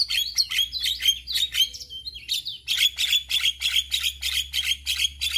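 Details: Singing male Javan myna, recorded for mynas to learn from: rapid, buzzy high chatter of roughly three notes a second, briefly broken by a soft low whistle, then resuming steadily.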